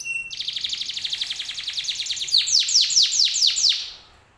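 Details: Canary singing to coax other canaries into answering: a brief steady note, then a rapid rolling trill, followed by loud sharply falling sweeps repeated in a quick series.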